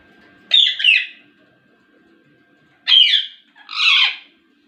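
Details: Ringneck parrot lets out three loud, harsh squawks, the first doubled, spaced over several seconds, with a steady faint tone in the background.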